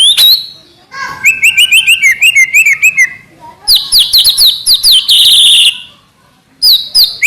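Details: White-rumped shama trotol gacor song: a loud opening call, fast wavering whistles, then ringing upswept notes and a buzzy rapid trill, ending after a pause with more sharp chirps.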